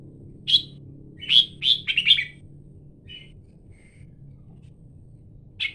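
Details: Red-whiskered bulbul: a quick run of four or five loud, sharp chirping notes, then soft short whistles and a final sharp chirp after a pause; faint low hum in the background.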